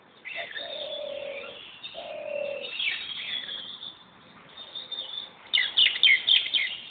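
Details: Bird calls recorded in Corbett National Park, two drawn-out level whistles followed by a rapid burst of sharp high chirps, over a constant high-pitched insect-like hiss.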